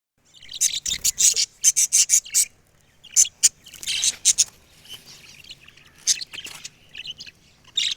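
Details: Talking parrot: loud, bright chattering bursts in quick clusters, each a brief squawky syllable, with short pauses between groups across eight seconds and a quiet background.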